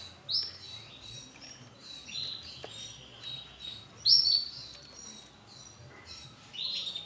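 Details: Male canary of the Starblue colour variety giving scattered bright, high chirps and short twittering bursts, with louder sharp notes near the start, at about four seconds and near the end, over a faint background hiss.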